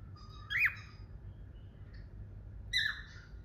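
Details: Pet cockatiel, one of a couple kept indoors, gives two short, bright whistled calls that sweep up then down, about two seconds apart, in a quiet room.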